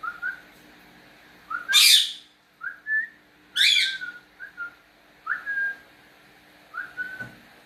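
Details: Pet cockatiel whistling back and forth with its owner indoors: soft short whistled notes, some rising, broken by two loud harsh squawks, spaced irregularly about every second.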